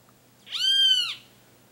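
Burnished-buff Tanager giving one nasal, slightly mewing note lasting about half a second, rising then falling gently. Background otherwise quiet.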